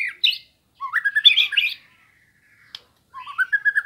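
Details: White-rumped shama, sambo type, singing intensely as a master recording to train birds and stir rivals: short sharp notes, rising whistles and a dense tangle of chirps, a lone click, then a run of quick rising whistled notes.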